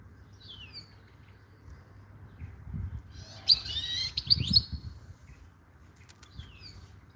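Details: European goldfinch singing: a short burst of quick, high twittering and sliding notes mid-clip, with a few thin down-slurred notes before and after, over a soft low rumble.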